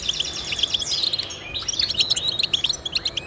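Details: Song of the European goldfinch for motivating pet birds to sing: a steady stream of bright, tinkling chirps and twittery phrases filling the short stretch without pause.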